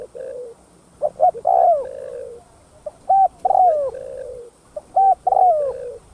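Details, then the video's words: Spotted dove, a caged bird's provoking coo: phrases of short hoots followed by a bowed, falling coo, repeated roughly every two seconds over a quiet background. "Tiếng Cu Gáy Giọng Hấp Dẫn[ ĐỦ BÀI THÚC GÙ ĐỈNH CAO 02] Kích Bổi Nhanh Nổi"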